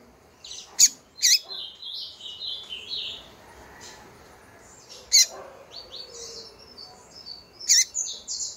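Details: Female double-collared seedeater calling a lot, a sound said to rouse males: bursts of short, high chirps and brief descending slurred notes, spaced irregularly and punctuated by a few sharp clicks.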